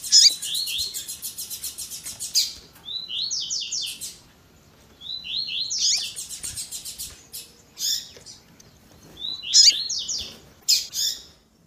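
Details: Tui tui zel zel song of a double-collared seedeater with female calling, made to fire up caged males: dense runs of fast high buzzy trills and rising slurs, broken by brief pauses and bright sharp chips.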